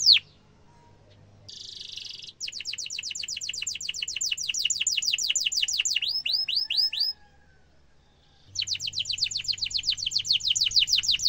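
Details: Tutor song for young canaries from a strongly singing canary: a buzzy burst, then long rapid trills of down-slurred whistled notes, a brief pause, and another fast rolling trill series.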